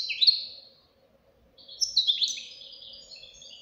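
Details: Goldfinch chick giving one short descending buzzy phrase, a second of silence, then a longer twittering run with sliding notes fading out.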